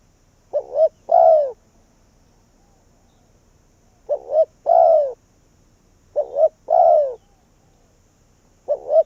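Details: Spotted dove serving as a decoy in Vietnam to call wild doves in, repeating a deep phrase of two short notes and a drawn-out falling coo four times, with quiet pauses between.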